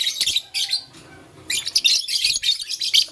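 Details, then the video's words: Chirping lovebirds of blue, lutino and green colouring play with a flower, giving dense runs of shrill, scratchy high chirps, a brief pause, then a longer rapid chattering stretch. "LoveBird Playing Flower - Chirping Sound"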